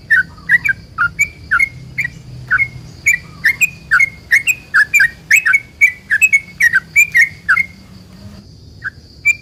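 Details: Sooty-headed bulbul pouring out a long rolling song used to provoke other bulbuls into answering: a rapid stream of bubbly, chirping whistles for nearly eight seconds, then a pause and single late note; faint steady high tone behind.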